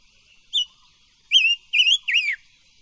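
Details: Silver-eared mesia song for voice training: a crisp opening note, then three loud, rippling whistles in quick succession, ending on a downward slur.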